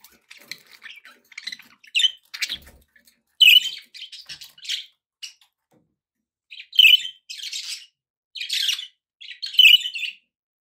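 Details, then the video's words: Pet budgerigars chirping: bright, clear high chirps and short chattering phrases in bursts separated by brief pauses, fairly loud and close. "relaxing budgie sounds for your birds"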